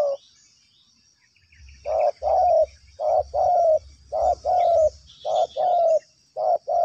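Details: Spotted dove calling steadily while being lured, in soft low coos grouped in twos and threes and repeated about once a second. A faint low rumble sits beneath the calls.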